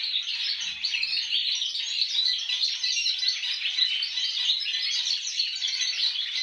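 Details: Aviary domestic canary delivering goldfinch-style song, learned by ear from a goldfinch kept overhead; a steady, busy chorus of fast tinkling chirps and trills, several other caged birds singing alongside without pause.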